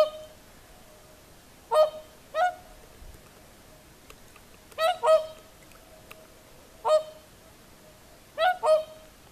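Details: Whooper swans calling at sunset in the evening on the shore of Lake Saimaa, Finland: loud trumpeting honks, often in close pairs, with harmonic stacks, spaced a couple of seconds apart over calm quiet background.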